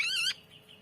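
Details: Grey-cheeked bulbul in a tutoring recording of vigorous song: one short, clear whistled note, slightly wavering and rich in overtones, that cuts off abruptly into quiet.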